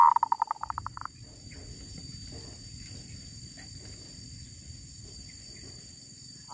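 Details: Wild female zebra dove: a fast run of about a dozen short, evenly spaced staccato coo pulses lasting one second, then quiet rustling and faint low rural background noise.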